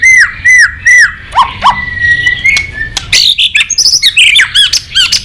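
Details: Loud white-rumped shama in busy, filler-packed song used to make other shamas sing: repeated arched whistles, a long steady whistle, then rapid high trills, clicks and looping notes.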